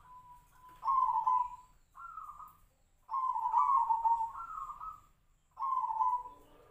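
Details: Zebra dove (perkutut) of the Tejoanom style, its voice likened to the sirtu-sirpo bird: a series of soft, trilling coos near one pitch, each phrase about a second long with brief gaps, in a quiet setting.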